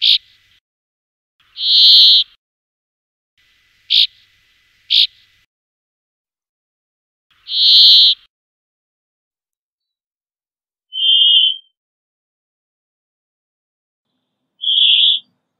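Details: Brambling song: harsh, buzzy drawn-out notes spaced several seconds apart, with two short sharp clicks between them and later two brief, clearer whistled notes, all against an otherwise silent background.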